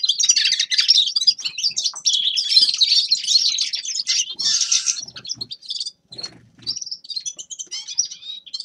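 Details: Grey-crowned goldfinch singing a fast, tinkling twitter of high chirps and trills, dense for the first five seconds, then breaking into shorter scattered phrases with brief pauses.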